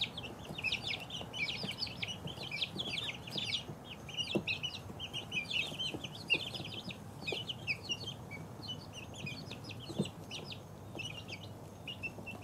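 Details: Young chickens at two weeks old, a group peeping steadily throughout, bright short high cheeps repeated several per second, light scuffling and taps below.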